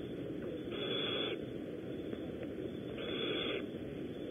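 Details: Barn owls at a Starr Ranch nest in California, during prey deliveries: two fairly soft, breathy hisses about half a second long, two seconds apart, amid continuous background hiss.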